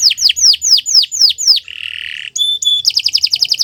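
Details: Canary song recorded in the morning as a master for teaching other birds: seven loud falling whistles, a low buzzy rolled phrase, two clear flat tones, then a fast repeated chipping trill.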